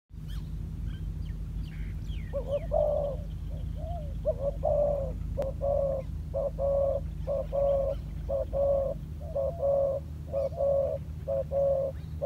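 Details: Spotted dove, a decoy bird being trained on the ground, starts cooing after about two seconds. It repeats low, hollow coos in short and longer notes, roughly one a second, over a steady low hum.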